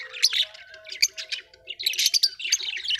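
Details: Budgies kept as colorful pets keep up dense, scratchy chatter: overlapping squawks and high chirps in uneven bursts, with short pauses and a faint tonal hum beneath.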